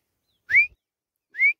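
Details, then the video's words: Grey francolin female voice: a pair of rising whistled notes, the first louder and sharper and the second smoother, under a second apart in a quiet setting. "Teetar Voice | Teetar ki Awaaz"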